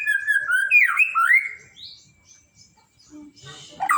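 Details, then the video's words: White-rumped shama, murai batu, giving a sweet whistled phrase of slurred, wavering notes rising and falling, then quieter scattered notes and a closing harsh sound. "suara merdu murai batu"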